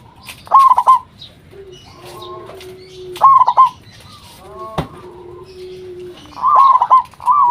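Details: Local zebra dove in full voice, used to prompt other zebra doves to reply: short stuttering coo bursts separated by pauses filled with a soft sustained lower tone and a sharp click.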